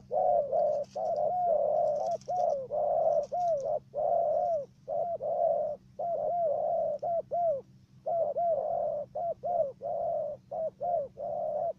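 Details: A dove used for trapping in Cà Mau, Vietnam, gives a dense, stuttering run of low, hollow coos with only brief pauses. A faint steady hum sits underneath.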